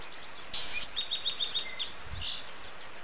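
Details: American goldfinch, possibly a female, near a creek with cottonwood in Number 2 Canyon, Wenatchee, Washington, early morning: quick bright "potato chip" chips in short bursts of three or four high notes, with other thin chirps and a soft background hiss.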